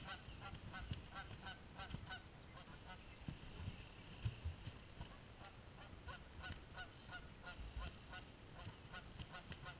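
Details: Geese fighting; steady, fairly soft honking from several birds runs through the whole stretch, mixed with low thumps and rumbling noise.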